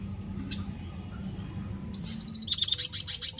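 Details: Red siskin singing a lot: after a lone high note, a rapid twittering burst of high, buzzy, trilled notes builds and grows louder over the last second and a half, against low steady background hum.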